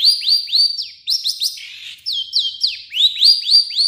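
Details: Long-tailed shrike singing in its varied style, including imitations of other birds: rapid clear whistles that each rise then drop, about four per second, with a brief buzzy note midway.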